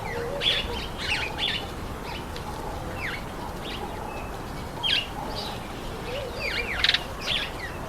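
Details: Speckled mousebirds at an apple, calling in scattered bursts of thin, high chirps and descending twitters, some overlapping, with quieter lower notes and steady background noise between them.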